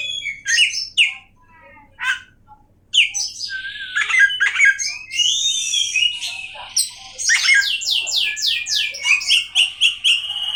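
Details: Oriental magpie-robin song, said to rile up other magpie-robins, opens with scattered sharp notes and a pause, then swells into long whistles and a fast series of descending slurred notes.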